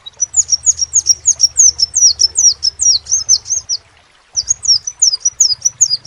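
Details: Crimson sunbird singing a fast string of thin, high, falling chips, then stopping briefly before starting a second run. A low hum sits beneath.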